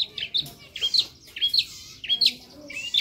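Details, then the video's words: Long-tailed shrike (cendet) in lively gacor masteran song: short whistled notes and chirps in groups roughly every half second, a mix of bright and slightly harsh tones. "suara masteran burung cendet gacor ,isian hidup"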